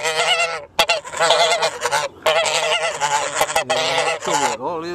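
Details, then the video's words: Noisy farm geese calling in overlapping bursts of loud, brassy honks, several long harsh blares broken by brief pauses and clicks, with a lower droning note beneath and a wavering honk trailing off at the close. "Rowdy Geese of the Farm"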